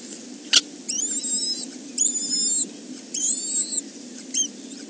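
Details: Three kestrel chicks in a nest watched by a webcam at the Arne reserve, 30 May 2013: three drawn-out, harsh, harmonic-rich squealing calls of nearly a second each, evenly spaced, plus a short final note over steady low background hiss.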